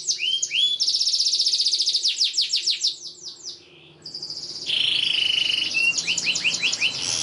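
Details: Long canary song intended to train young canaries. A rapid rattle turns into repeated descending whistles, a brief near-silent pause follows, then a buzzy sustained trill with quick looping notes.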